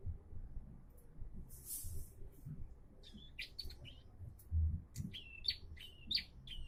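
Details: Bar-winged prinia, described as starting to sing diligently, gives a run of short high notes, each a flat whistle ending in a sharp upward flick, repeated roughly every half second over a steady low rumble.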